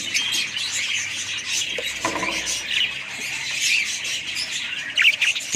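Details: Budgerigars chatter in a dense high twitter of squeaks and chirps, broken briefly by a dull knock and a low rumble in the middle.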